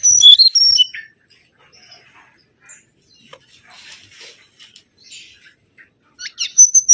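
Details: Mangrove whistler song used as a lure recording: a loud burst of clear whistled notes that step up and down at the start, a long quiet stretch with faint chirps, then bright high whistles return near the end.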